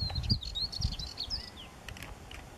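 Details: Spectacled Warbler in Cyprus gives a fast, high, scratchy warble of short twittering phrases, with low wind rumble and handling noise underneath.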